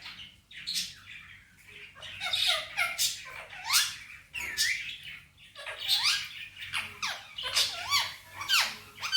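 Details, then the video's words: Talking pet male ringneck parakeet repeating phrases like "Mitthu bete" and "Miya Mithu"; dense run of squawky, nasal syllables with curving, rising and falling tonal sweeps, continuous chatter for about nine seconds with brief pauses. "Talking parrot real voice, and saying Mitthu bete || Miya Mithu"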